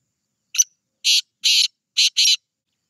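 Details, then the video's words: A black francolin calls in a grating, rasping phrase: a brief clipped opener, two broad buzzy notes about half a second apart, then a rapid double note to finish, with nothing else audible. "Teetar Ki Awaz Black Teetar Awaz Titar awaz"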